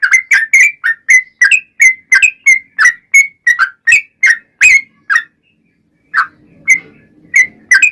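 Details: Yellow-vented bulbul in lively long rapid-fire song (ropel panjang), used as a lure to get other bulbuls to answer: quick bubbly whistled notes, about three per second, with a pause near the end before the song resumes.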